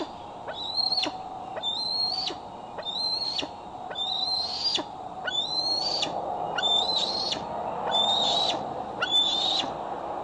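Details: At dusk on 12 July 2011 in Decorah, a female bald eagle with a transmitter fitted that day returns to her branch on a nest cam: a steady series of high, thin whistles, each gently rising then falling abruptly, about one per second.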